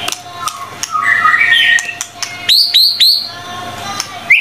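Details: White-rumped shama singing energetically, as tutor material: soft warbled phrases and clicks, then three loud, identical upswept whistled notes in quick succession, with a faint steady hum underneath.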